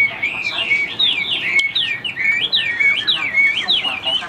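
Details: Caged Chinese hwamei with white wings and tail singing high, strong whistled phrases that swoop down and up, repeated in quick succession, rich and ringing with little background.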